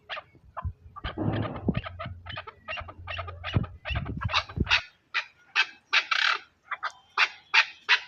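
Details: A chukar partridge's rough chuk notes repeat steadily, first over a low hum, then clearer and louder in the second half, with notes spaced about half a second apart.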